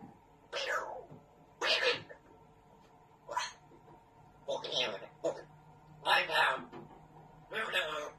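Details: African grey parrot, described as very naughty, swearing indoors; six short, harsh, speech-like bursts spaced about a second apart, each sweeping from high hiss down into lower voiced tones, with a faint hum underneath.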